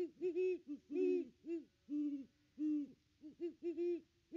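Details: At their nest tree on Christmas 2021, a pair of Great Horned Owls hoot in an uneven series of about ten low, rounded notes, some doubled, recorded by a nest cam.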